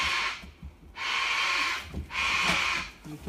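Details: Cockatoos in the background up in the hills near a rabbit orphanage give harsh, raucous screeches, three long broad bursts about a second apart, over a person talking nearby; the baby rabbits seem worried by them.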